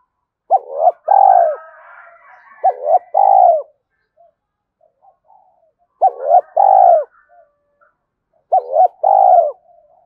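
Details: Spotted dove urgent coo played as a decoy for wild doves: four quick phrases, each doubled short notes and a longer falling coo, with soft rustling and faint chatter underneath.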